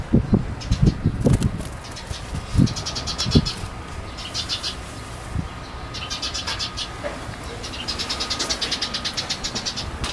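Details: Young Eurasian tree sparrow sitting on an open hand, calling with clusters of sharp high chirps between pauses, with bumps and rustling from handling below and a faint steady tone.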